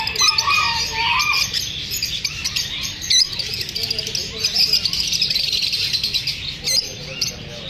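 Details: Unsettled lovebirds, wary of being filmed, fill the air with a constant, crowded twittering of high chirps from many birds, punctuated by a few sharper clicks and louder chips.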